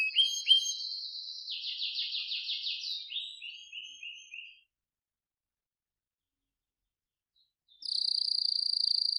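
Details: Canary singing a rapid trill that steps down through lower rolling phrases and fades out. After a long silence, a new high rattling trill begins.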